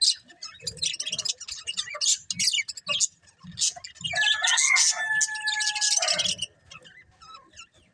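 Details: Several colourful budgies keep up a busy, scratchy high-pitched chirping, while a drawn-out rooster crow rises over the chatter midway.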